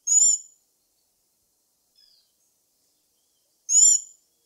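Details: Two crisp, high, ringing notes from a black-backed tanager, a vulnerable fruit- and insect-eating tanager, separated by a pause of about three and a half seconds, with a tiny faint chip between them.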